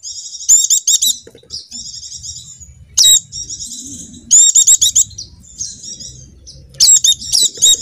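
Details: Lure song of a Javan white-eye for stirring caged birds: loud bursts of rapid, sharp high chirps alternate with softer thin twittering, roughly four bursts in eight seconds.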